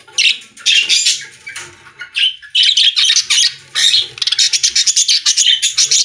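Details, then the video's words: Budgerigars in a pet store chattering loudly: dense harsh squawks and warbles, ending in a rapid run of fast, evenly repeated clicking chirps. "Budgies singing in Pet Store | Parakeet Sounds"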